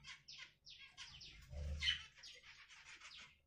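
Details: Budgerigar chattering in a rapid string of short downward-sweeping chirps, almost continuous, with a brief low thump partway through.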